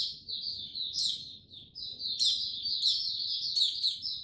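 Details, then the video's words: A white-eye (Mata Puteh) recorded 6 March 2022, gaining confidence before opening into full song, sings slow and steady: a rapid, high, twittering warble of thin slurred notes, with bright chirps rising and falling almost without pause. "Mata Puteh"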